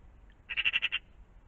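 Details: A single short, harsh rattle of about six rapid, grating notes from a magpie near a pond in the morning, over a faint low hum.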